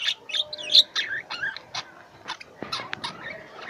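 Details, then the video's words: Pet lovebirds give loud, sharp, high chirps and squeaky twitters in quick succession, thinning out toward the end. "Love Bird | I love my Birds| Sweet Voice"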